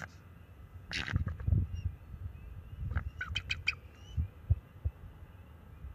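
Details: Young male bald eagle guarding the nest against an owl, using calls and wing flaps; a sharp squeal, soft thumping flaps, then a rapid series of high chittering notes.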